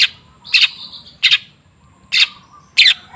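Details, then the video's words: Long-tailed shrike song played to encourage a silent caged bird to start singing: harsh, scratchy broadband notes spaced irregularly, about five bursts in three seconds, with a faint thin whistle between them. "Suara TERAPI pancingan cendet macet supaya rajin bunyi"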